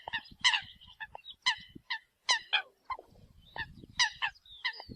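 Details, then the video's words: Eurasian coot decoy call: loud, clipped, nasal honks in irregular groups, some notes stretched into short whines, with low thumping noises beneath. "TIEN CHIM SAM CAM CUC CHUAN TIENG CHIM MOI"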